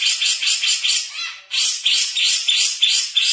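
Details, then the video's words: Grey-cheeked bulbul in fast, tight 'speed rapet' song style: dense runs of harsh, high chattering notes repeated about three per second, with a brief pause midway before the rapid bursts resume. "Jenggot Speed Rapet"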